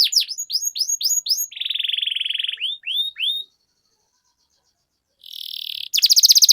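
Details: Canary lure song: a run of quick falling whistles, a steady buzzy trill, a few more swept notes, a silent gap, then a harsh buzz and a fast high trill.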